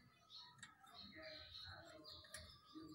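Black-throated Canary: a young bird's rambling song of thin, high twitters and short warbled phrases run together without pause, with faint background chatter.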